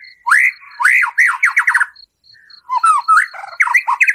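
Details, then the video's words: Chatty white-rumped shama singing rough shot-style phrases for stirring another caged bird: rising arched whistles that speed into a quick run, a brief pause, then varied swooping and buzzy notes, with faint regular high ticks behind. "Murai Batu Gacor Full Isian Tembakan kasar, Sangat Ampuh Untuk Pancingan Emosi Murai"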